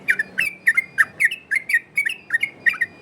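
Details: Yellow-vented bulbul in ropel variasi style, a lure for other bulbuls: loud, ringing whistled notes in quick two-part pairs, a rising slur then a flat or falling tone, repeated about three times a second.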